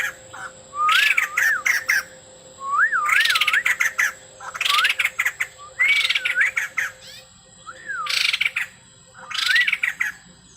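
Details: Male white-crested laughingthrush singing hard, song stuffed with imitations: five or six phrases of looping whistles each capped by a harsh rattling squawk, spaced roughly every two seconds.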